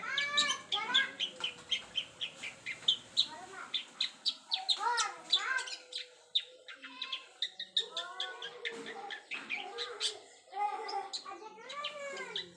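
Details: Long-tailed shrike learning mimicked filler sounds: a dense, fast stream of varied chirps, rising harmonic whistles and sharp ticking notes, delivered almost continuously with brief pauses.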